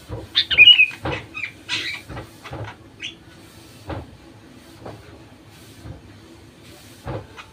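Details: Song of a sooty-headed bulbul meant to lure other bulbuls into singing: a quick liquid phrase near the start, mixed with scattered knocking and clattering sounds throughout.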